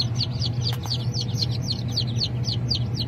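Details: High, sharp peeping from Japanese bantam chickens, short descending chirps repeated quickly and evenly throughout, with a constant low droning hum beneath.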